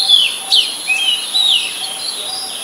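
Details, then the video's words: Oriental magpie-robin, a very common resident, singing in Ubon Ratchathani, Thailand, on 17 July 2022: a run of rich, slurred, varied whistles with a steady high electronic whine behind. "นกกางเขนบ้าน Oriental Magpie Robin (singing)"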